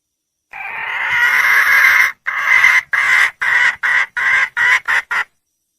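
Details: Red junglefowl hen calling for a male: a loud, sustained harsh note lasting over a second, followed by eight or nine shorter squawks that come faster and shorter toward the end.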